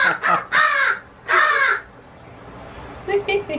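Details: A pet crow, a male confirmed by DNA test, gives four hoarse, raspy, voice-like bursts in under two seconds, possibly talking, then falls quiet; a faint human voice follows briefly at the end.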